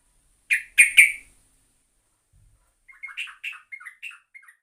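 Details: Yellow-vented bulbul (trucuk) lure recording: three loud, harsh chips, a short gap, then a softer run of quick, bubbly, falling warbled notes.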